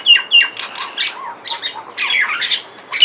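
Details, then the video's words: Two mynas sitting on a window grill give harsh squawks mixed with clear whistled notes, a rapid run of raspy, noisy calls about four per second with brief dips in loudness. "A couple mynas sitting on the window grill, tweeting about, and making various calls."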